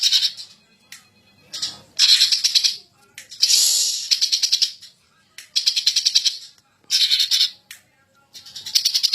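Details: Champion greater green leafbird in agitated ngentrok song: a nearly continuous sequence of rattling, buzzy phrases with rapid pulses, including a brighter, higher sustained note midway.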